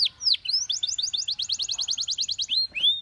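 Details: Belgian canary song used for training canaries: a few quick downslurred notes lead into a long, even trill of rapidly repeated high chips, closing with a rising whistled note.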